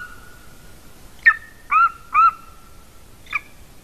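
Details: Female golden eagle at a nest in Latvia, 30 January 2019 at 14:24, recorded by nest camera: four short yelping call notes, the middle two longer and stronger, over a steady faint tone and background hiss.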